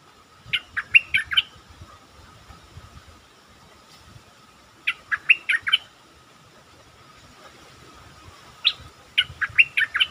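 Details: Lure song of a caged stripe-throated bulbul: three short, chattering phrases of quick liquid notes, spaced about four seconds apart, with a constant low hum and faint rustling underneath.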